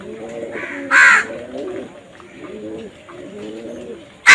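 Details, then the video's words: Crow calling amid crows fighting over food: one loud, harsh caw around the one-second mark and another at the very end, over a steady background of lower, stacked, arched calls repeating roughly every second. "Crow Bird Crowing Sound"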